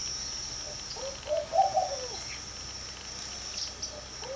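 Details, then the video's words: One bubbling coo phrase from a Laughing Dove resting in a garden porch at dawn. The notes step upward and then tail off, lasting about a second, with a thin continuous high hum behind it. "the bird call you hear in the latter part of the video is that of a Laughing Dove which was sitting in our porch"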